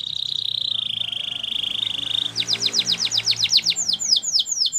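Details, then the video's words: Russian canary holding a steady buzzy high trill for over two seconds, then switching to rapid sharp descending notes and curved whistles; a faint low hum lies beneath. "Russian Canary Singing !! Canary Bird Song"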